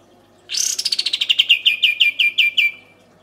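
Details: Clean burst of kapas tembak song for training songbirds: an upward swoop followed by around fifteen rapid, sharp, repeated notes that gradually slow and drop slightly in pitch, then silence.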